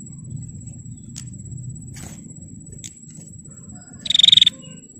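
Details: Female bar-winged prinia provoking males. After a few seconds of quiet background with faint clicks and a steady high whine, it gives one short, high, rapidly pulsed buzzy burst near the end.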